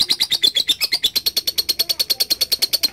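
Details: Lovebird singing its long 'ngekek' trill in a training recording, a tight, even run of high piercing chirps, roughly eight per second, each note sharp and evenly spaced throughout.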